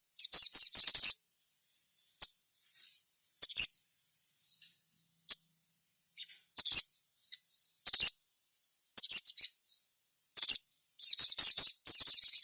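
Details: Sogon song played as a lure to prompt other sogon to sing. Short, very high twittering bursts are spaced irregularly between silences, with a longer dense chattering run near the end.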